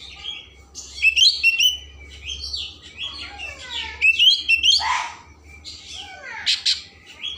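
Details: Oriental magpie-robin singing varied 'isian mewah' phrases meant to provoke emotion and tail opening: rising whistles, harsh rasping notes and sweeping slurs, delivered in irregular sequences over low background hum.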